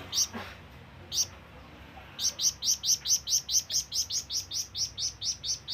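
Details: Flamboyan bird calling to draw in companions or rivals. Two isolated high chirps come first, then a long, steady series of bright, piercing chirps at a quick, even pace of just over two per second.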